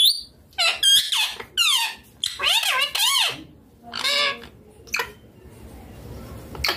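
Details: Pet green rose-ringed parakeet eating chilli, giving harsh, squawking, speech-like bursts that bend up and down, separated by short pauses, in a small room.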